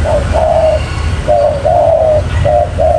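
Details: Spotted dove lure call: close, rich coos, each a brief note followed by a longer drawn-out hollow one, three phrases in quick succession with faint background hum.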